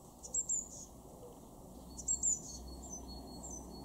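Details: Eurasian blue tit in a garden in Weener, East Frisia, Germany, recorded in February 2023: two pairs of very high, thin, short notes about 1.7 seconds apart, with faint high twitters and a low steady hum underneath.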